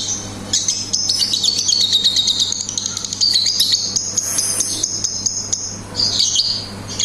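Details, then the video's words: Lovebird chattering with ngetik ticks and ngekek rattles: a sustained shrill, buzzy trill of rapid pulses, briefly louder and higher around the middle, then short clipped bursts at the end; low hum beneath. "BURUNG 🐦LOVBIRD SUARA NGETIK TAMBAH NGEKEK"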